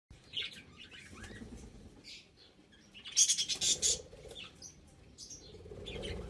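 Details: Budgerigar chicks at Glindow, Werder (Havel), Germany, give thin, high chirps, then a burst of harsh, raspy squawks in quick succession before settling back to soft twittering.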